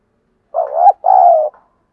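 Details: Spotted dove used as a caller bird to lure wild doves, uttering a single mellow coo phrase: a wavering rising first note followed by a sustained, gently falling second note.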